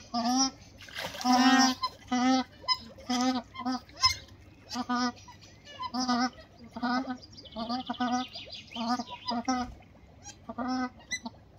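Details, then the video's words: Courting white-winged ducks, two females with one male, honk over and over in a long series of short nasal, buzzy notes, roughly one every second, with a few higher bird chirps between. "Two white-winged duck females courting a male"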